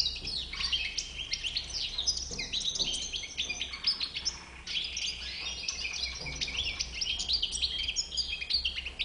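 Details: European goldfinch of the white-bearded (bouc blanc) form in full song: nine seconds of rapid, liquid twittering and jangling chirps, rising and falling in quick bursts with hardly a pause.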